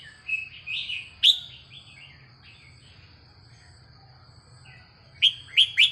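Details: Red-whiskered bulbul training song: soft warbled phrases, one sharp downslurred note, then a closing run of three loud, quick, bright notes, over a steady high hum and low background noise.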